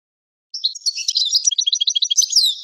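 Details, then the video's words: European goldfinch song meant for tutoring young goldfinches and hybrid birds: after half a second of silence, a fast, continuous, high-pitched twittering run of liquid notes and buzzy trills, ending in a bright descending slur. "لغة الحسون لتعليم وتلقين فراخ الحسون والهجين"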